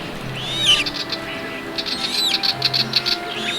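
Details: At a lake on 12 December 2021, a swamphen chick gives a thin rising cheep calling for its parent, then a Willie Wagtail gives its alarm call: quick runs of short, high, scratchy chit notes, over a faint steady hum.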